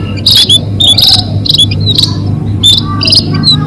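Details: Munias used as a lure for catching birds: thin, high, slightly buzzy chirps in rapid clusters, several birds overlapping, over a steady low mechanical hum.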